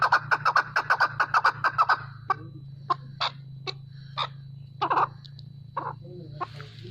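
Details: Chukar partridge calling in natural voice: a fast series of about ten rhythmic clucking notes, then slower, scattered clucks over a steady low hum.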